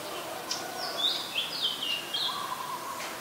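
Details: Adult Common Tailorbird in Ubon Ratchathani, Thailand, recorded 20 April 2022: a quick run of sharp, high, downward-slurred notes in the middle, over a steady lower whistled tone from another bird and soft rural background.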